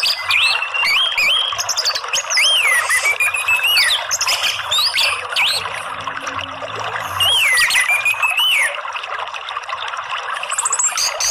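Orange-headed thrush singing a rich, varied song of sweeping whistles and rapid chattering phrases.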